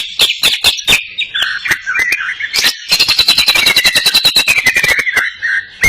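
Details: Greater green leafbird singing energetically, crest erect, with cililin-style phrasing; opening clicks and warbles give way to a fast even rattle of ticking notes over a long, slowly descending whistle.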